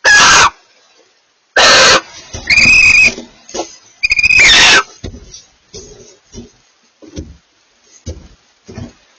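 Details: A pair of barn owls calling to each other: two short harsh screeches, then longer wavering rasping calls, followed by faint scattered clicks and soft noises.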